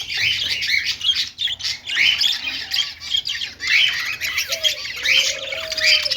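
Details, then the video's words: Budgies making a happy sound: dense, scratchy warbling chatter with quick chirps, several birds at once, and a few low drawn-out tonal notes late in the clip. "cute budgies making happy sound"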